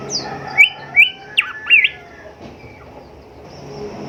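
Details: Golden whistler, known locally as kancilan emas or bimoli, singing in a recording used to train caged songbirds: four loud whistled notes, rising and hooked, in quick succession, then a quiet gap with faint background hiss.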